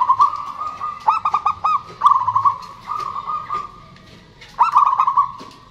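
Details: Zebra doves of a local strain, males and females answering each other, used as a lure for silent birds: sustained trilled notes broken by quick staccato hiccup notes, phrases repeating with short pauses.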